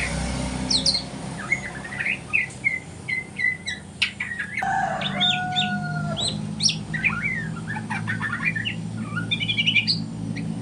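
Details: Young spotted-plumage White-rumped shama learning to sing in the morning: varied short whistles, chirps and rising slurred notes in quick bursts, with a steady low hum underneath and a faint rooster-like sound in the background.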